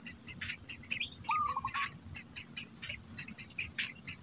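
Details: Black bittern at its nest with food for its young: a lone call starting with a short rise, then a level note chopped into quick pulses, among loud insect chirps and a continuous shrill tone.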